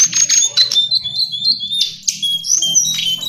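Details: Lesser shortwing in full song: thin high whistles mixed with fast jumbled warbles and short buzzy notes, fairly continuous, over a faint low hum.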